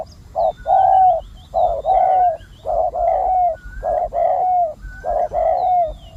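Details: Loud, close spotted dove used as a decoy for wild doves, giving paired coos of a short note then a longer drawn-out one, repeated about every second, with faint high bird calls behind.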